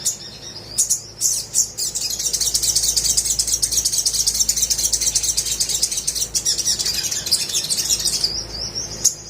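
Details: Crimson sunbird in energetic 'gacor' song, used to prompt reluctant birds to sing: a continuous, very high, thin twittering with rapid trills, preceded by a few sharp chips.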